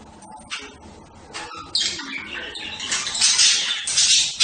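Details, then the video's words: Budgerigar chatter that starts with sparse clicks and chirps, then swells into dense, harsh, buzzy twittering toward the end. "صوت طيور هند(البادجي)"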